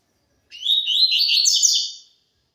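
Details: Double-collared seedeater singing the pure tui tui zel zel song style: one burst of about one and a half seconds of rapid, buzzy, twittering high notes run together, in an otherwise silent background.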